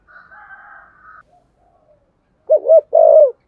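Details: Spotted dove in the 'thổ sấm' voice style: a thin, higher drawn-out tone and faint murmurs, then two loud, husky coos, the last long and falling.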